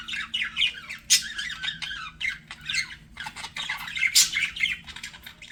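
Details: Flirting pet budgies trade scratchy warbled phrases and shrill squawks, rising and falling in short bursts.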